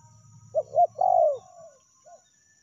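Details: Spotted dove cooing used as a lure, featuring the meratus angry rival call and melambung ordinary calling: two quick clipped notes, then a long falling coo trailing off, one soft final note, over a low buzzing hum.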